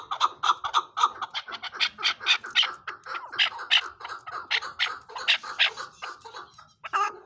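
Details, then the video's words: Chukar partridge chorus of rhythmic, rasping chuck notes over a steady lower clucking layer, the notes swelling and fading in waves, roughly four a second, ending with a short pause. "Chakoor Bird Beautiful Sounds |چکور کی آواز"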